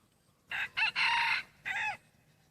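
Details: F2 hybrid rooster, half red junglefowl, whose voice is said to be changing slightly while still moulting into black and red plumage, crows in four loud, harsh bursts: two short notes, a long sustained one, then a final note falling at the end.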